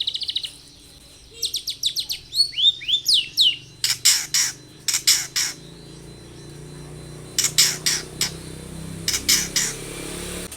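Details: Long-tailed shrike in full varied song, played as a lure for other shrikes: brief chattering and a few slurred whistles, then loud harsh rasping squawks delivered in quick groups of three or four.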